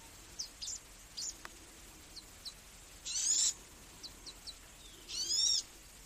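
A magnificent sunbird gives very high, thin sharp chips and two short, buzzy, slightly falling trills, over a faint steady hiss.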